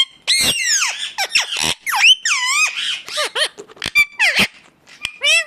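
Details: {'caption': 'Ringneck parakeet calls: a busy string of scratchy, swooping screeches, a few clear thin whistles among them, and brief pauses between the louder bursts.'}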